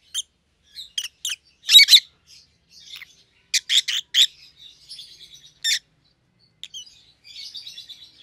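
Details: Rosy-faced Lovebirds, a white-headed pallid opaline and a white-headed green opaline kept as pets, chirp in loud sharp bursts of two to four notes, followed by soft chattering twitter.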